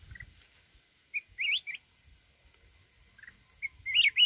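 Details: Mountain red-whiskered bulbul giving its wild-type song used to stir up other birds: short bright warbled phrases rising and twisting, separated by pauses, faintly heard over low rumbling background.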